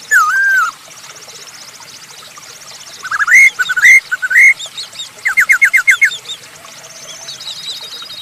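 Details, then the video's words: Masked laughingthrush song used to get other birds singing: a few loud rising whistles, then a fast run of short repeated notes over faint background chirping. "Burung poksay hongkong gacor untuk pancingan"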